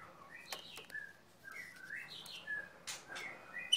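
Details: White-rumped shama being sunned; a varied run of clear whistled phrases, some sliding up and some down, with short pauses between notes and soft background noise.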